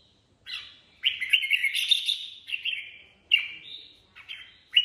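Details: Improvised ché-style song of a red-whiskered bulbul (chào mào): a quick note, then a long, lively warbled phrase of bubbling, throaty whistles, followed by clipped, sharp phrase starts.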